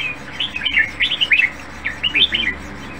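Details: Caged red-whiskered bulbul, described as having a fine voice fit for singing contests, gives a brisk series of clear looping whistles, roughly a dozen notes in three seconds, over a low background hum.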